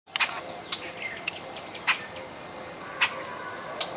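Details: Rubythroat, a winter migrant from Siberia favouring bushes, in Gouripur, Murshidabad, West Bengal, India: short, sharp, high chips and brief scratchy notes at irregular intervals over a soft background hiss.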